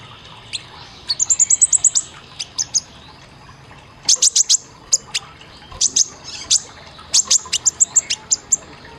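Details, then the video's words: Olive-backed sunbird master song for training caged birds, 'isian tembakan' style: an early rapid trill of thin high notes, then loud sharp clicks and chirps in quick clusters, shrill and piercing. "Isian Tembakan Suara masteran kolibri ninja konin Gacor Tajam"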